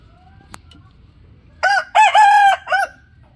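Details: Rooster calling loudly with a single crow of about 1.3 seconds, broken into four strong harmonic segments with a long level middle note, after a brief click and low background hum.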